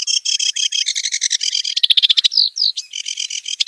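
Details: Kerak basi in the wild, singing a fast chattering series of repeated harsh harmonic notes that speed up into a dense rattle, broken by two rising whistled slurs, then resuming the steady repeated notes.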